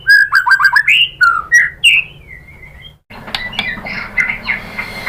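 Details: White-rumped shama song meant to provoke singing: quick run of whistled slurred notes, rising and falling, followed by a softer, noisier stretch of scattered chips.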